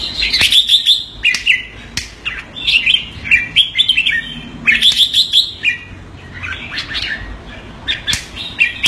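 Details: Red-whiskered bulbul kept as a pet in Singapore, calling keke on command: lively bursts of sharp, clipped keke notes and warbled chirps, coming in quick groups with short gaps between them.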